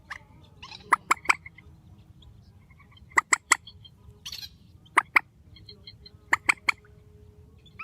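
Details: Grey-headed swamphen giving strong calls: bursts of three abrupt, loud clicking notes separated by pauses of about two seconds, with softer scattered notes and a low hum between.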